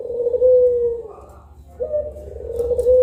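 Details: Puter pelung collared dove, one of two birds heard at midday: a long, low, steady coo that falls away slightly, then a pause and a second drawn-out coo starting higher and levelling off.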